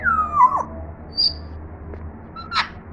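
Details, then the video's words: Pet African grey parrot trying to talk for the first time: a long falling whistled note, then a few soft clicks and a brief higher squeak, with a steady low hum behind. "African Grey Parrot Talking"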